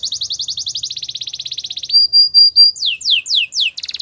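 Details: Belgian canary song used to warm up and train canaries, a rapid buzzy roll for two seconds, a thin level whistle, then a series of loud downward-swept chirps about every quarter second.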